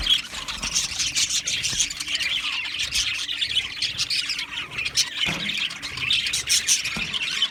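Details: Many Australian budgies in an aviary colony, chirping and warbling together in a constant high babble that swells and dips, with a few sharp squawks.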